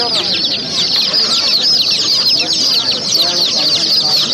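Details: Chicks chirping as a crowd: shrill little peeps overlap continuously at a steady loudness, each note a quick bent whistle, with soft low murmurs underneath.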